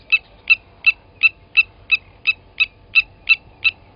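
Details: Blacksmith lapwing at Gowrie dam waterhole, Djuma Game Reserve, Sabi Sand Wildtuin, South Africa, 07:47 on 29 August 2020, as an adult grabbed a chick from the nest and killed it: sharp metallic clinks about three per second, steady and ringing.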